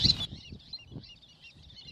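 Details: A breeding colony of endangered California least terns at the restored "tern island" nesting site, Hayward Regional Shoreline, San Francisco Bay, gives faint, high, scratchy chirps throughout, after a brief loud knock, over low wind rumble.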